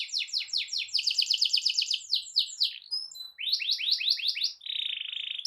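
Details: Canary singing a long rolling song meant to provoke other canaries; a fast series of sweeping notes, a few thin whistles, another run of swooping notes and a closing even buzzy trill.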